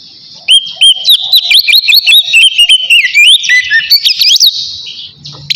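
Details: Oriental magpie-robin singing 'ngeplong' to call a rival, used as a lure for singing birds; loud clear whistled notes repeated briskly, rising and falling, ending in a high sweeping flourish.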